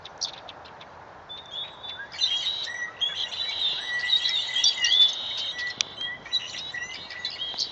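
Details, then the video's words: Birds chattering in a tree outside a classroom at about 4:45 pm MST before sunset; sparse chirps at first, then a thick chorus of rapid high twittering notes fills the rest. "Birds Chirping While Sunset is Approaching"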